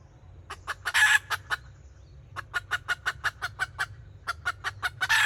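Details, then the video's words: Kataak-style calling by a red junglefowl decoy hen, 2024: an early harsh squawk among a few clucks, a short silence, then a steady run of rapid, sharp clucks ending in another loud rasp. "แม่ต่อสายกะตาก poj qaib tsauj zoo"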